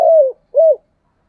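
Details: Morning lure call of a spotted dove meant to attract wild doves. Two mellow arched coos, the first longer and falling at its end, separated by a brief pause.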